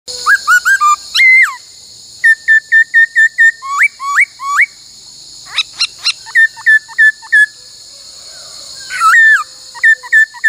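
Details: Laughingthrush singing during song training, a many-voiced song in the 'bắt cô trói cột' style: clear whistled notes, short rising and falling slurs in quick runs of repeated pairs, with a steady high hiss throughout.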